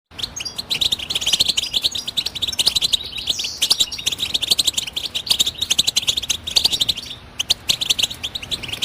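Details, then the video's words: European goldfinch twittering song: a rapid, continuous stream of bright, high tinkling chirps and short buzzy notes, rising and falling in quick bursts with barely a pause across the whole stretch. "بتبتة الحسون"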